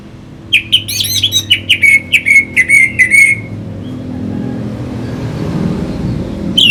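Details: Orange-headed thrush song played to stimulate fighting birds: a fast series of sharp rising whistles, about three per second, then quiet with a growing engine-like rumble.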